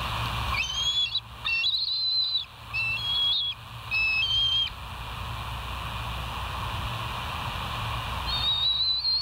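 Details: Bald eagles on a West End live nature cam, 31 August 2023 at 07:05: a run of high, clear whistled piping notes with slight upward inflections over the first four seconds, then one longer rising whistle, over steady low background rumble.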